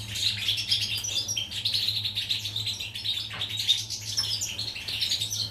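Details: Goldfinch singing on 14 July 2019: a sustained flow of tinkling, twittering notes with liquid chirps and short rattling trills, high and cheerful, accompanied by a low continuous electrical hum.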